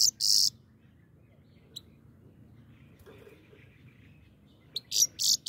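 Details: Grey-crowned goldfinch giving a long harsh buzzy note, then near-silence with one faint chirp, and finally three quick rasping high bursts.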